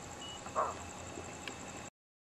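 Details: A Wetar scops owl (Otus tempestatis), endemic to Wetar, Indonesia, recorded in October 2024, calls: a single short, hoarse hoot, low and slightly rough, over a steady background hiss of night insects.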